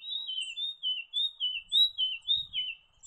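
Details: Leaden flycatcher calling in a rapid run of clear, high whistled notes, each sliding downward, repeated about twice per second without pause, with a brief soft thump near the end.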